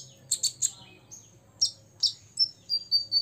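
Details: Six-year-old olive-backed sunbird singing to rile rival birds: three quick high chirps, a pause, two more sharp notes, then a series of short thin whistled notes repeated about every quarter second.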